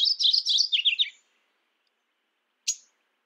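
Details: Mourning warbler singing a rolling phrase of about eight quick repeated notes that step downward in pitch over one second, then one sharp high chip after a short silence.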